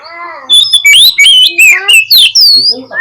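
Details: Oriental magpie-robin song played as a lure to provoke a reluctant bird into spreading its tail and fighting: after a low, voice-like harmonic opening, loud, clear whistled phrases follow, sliding and rising, delivered in quick bursts with short gaps.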